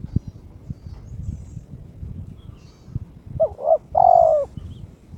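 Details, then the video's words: Low rumbling background, then a kept spotted dove (terkukur) in breeding mood gives one challenging phrase against a rival: two short hollow coos and a sustained, gently falling coo. "TERKUKUR TOKCER SUARA KRISTAL MENGUNDANG LAWAN/My turtle dove chirps challenging its opponent"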